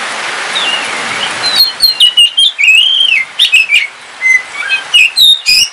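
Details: Home-kept oriental magpie-robin, Kalimantan black variety, singing while it rains; varied, looping whistles and sharp chirps delivered in rapid phrases, heavy rain hiss at the start.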